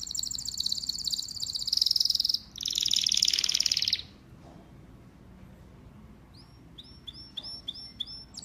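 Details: Pet domestic canary, a singing male, pouring out loud buzzy high trills for four seconds, then after a pause a series of clipped, repeated up-slurred chirps.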